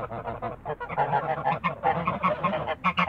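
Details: Honking from Toulouse geese in a backyard: steady, reedy, nasal honks repeated in quick succession, several birds calling together.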